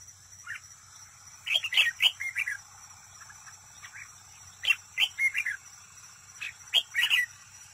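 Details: Decoy red-whiskered bulbul, singing competitively near a trap and heard up close: clusters of clear, chirpy slurred notes delivered in three bursts, each several notes long, with a faint steady hiss underneath.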